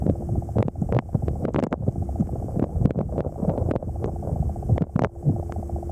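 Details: Heavy wind buffeting the microphone in irregular bursts over a low rumble, with no animal sounds.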